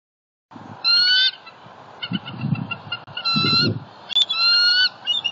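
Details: Bald eagle of a mated pair at a Southwest Florida nest, bonding in the morning of 2 October 2019 around a fish breakfast; thin, high harmonic calls in short bursts, three loud runs of repeated notes over a low rumbling background.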